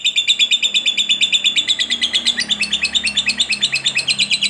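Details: Fighter lovebird in long ngekek trill used to provoke other lovebirds: rapid, even run of harsh, high chattering notes about three per second, bright and buzzy throughout, with a faint low hum beneath.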